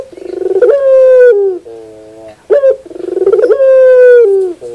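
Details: Barbary dove cooing: two full coos, each opening with a rapid stuttering pulsed buildup that smooths into a long, steady, low hooting tone ending in a short downward slide, with a brief sharp accented note between them.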